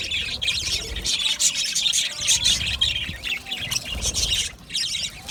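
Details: Budgerigars chattering in an aviary colony: busy, high-pitched twittering and sharp chirps from many birds, with brief quieter dips.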